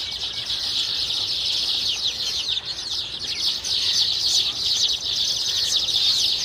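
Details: A group of baya weavers giving busy, high buzzy chatter, with sharp downslurred chirps growing louder and denser in the second half.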